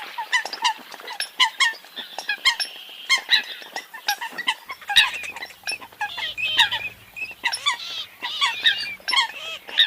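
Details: Eurasian coot calls from a crowd of birds: short, nasal, honking notes overlap in a dense, steady jumble, with some squeaky upslurred notes and faint low hum beneath.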